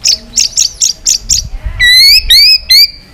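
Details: White-rumped shama in fighting song, singing in many voices with tail flicking: a run of five quick sharp chipping notes, then three loud, clear, sustained whistles, each rising slightly.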